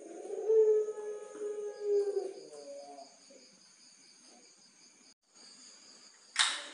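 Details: Captive pelung-style barbary dove at a bird farm in Tulungagung, Indonesia, valued for a strong opening, long flowing middle and loud 'kwok' ending: deep, drawn-out cooing swelling twice then fading, steady high electronic whine, sharp click at the end.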